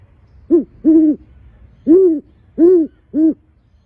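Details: Male great horned owl kept at a bird show, hooting: a short clipped hoot, then a longer one, a pause, and three more deep, mellow hoots at a steady pace. The background is quiet.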